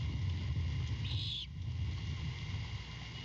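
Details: Begging great horned owl chick at a nest near Savannah, night of 23 February 2022, mother returning with a rat; one hissy screech lasting half a second amid a deep continuous hum.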